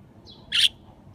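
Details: Budgerigar out in a park at cherry blossom time, calling back to wild birds: a brief, loud, rasping chirp, with soft high whistles just before and after and low background hum.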